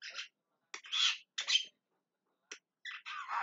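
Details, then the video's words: Javan myna calling loudly, in Indonesian jalak kebo: harsh, broadband squawking bursts, several short rasping notes separated by brief silences, with a louder noisy chatter at the end. "JALAK KEBO TERIAK TERIAK MEMANGGIL"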